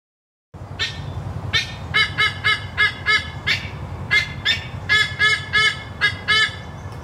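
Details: White-bellied sea eagle (Haliaeetus leucogaster), possibly a juvenile, giving loud, nasal, goose-like honks, about three per second in uneven bursts, over a low steady rumble.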